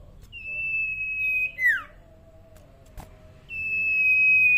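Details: A young, tame common iora whose voice is still soft gives a long, steady, high whistle, then a quick falling slur, and after a pause another drawn-out level whistle, over a faint low hum.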